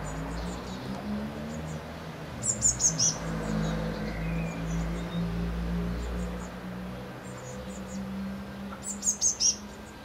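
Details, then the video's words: Blue tits at a nest box, recorded 8 and 9 May 2020. Two short bursts of three or four very high, thin notes, about six seconds apart, play over a low rumbling hum. "Blaumeisen am Nistkasten"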